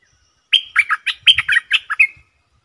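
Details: Caged Stripe-throated bulbul recorded 7 June 2021: one bubbly, warbling phrase of about nine quick liquid notes, rising and falling, ending on a short level whistle, with silence before and after.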